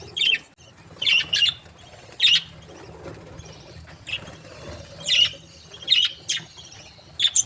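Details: Budgerigars in breeding pairs, described as happy, repeat clear high chirps, often in pairs, roughly once a second, with faint fluttering and soft rustle between the calls.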